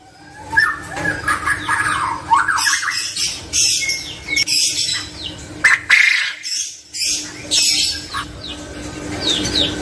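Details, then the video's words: Male quail giving repeated harsh squawks and chirps in irregular bursts, with brief quiet gaps between them, over a continuous low hum and hiss. "Suara Burung Puyuh Jantan"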